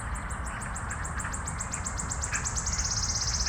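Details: Wood warbler singing in Minsk in April 2025: a run of sharp, high ticking notes that speeds up into a dry, shivering trill, over a steady low background rumble.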